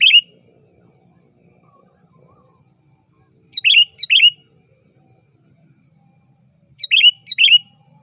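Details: Active sooty-headed bulbul calling out to a rival, played as a trapping lure. Short bubbly phrases of two chirped notes recur about every three seconds over a faint low hum.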